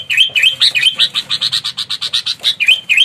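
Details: Sooty-headed bulbul, an aggressive fighting lure bird meant to provoke rival birds, singing a rapid run of about sixteen bright chirping notes, some with dipping slurred sweeps, repeated several times a second in a continuous bubbling burst.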